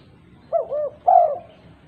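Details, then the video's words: Female spotted dove calling to other doves: one soft double coo, two short rounded notes, then a longer, louder, slightly falling coo, with a quiet background. "Tekukur betina gacor memanggil tekukur lain"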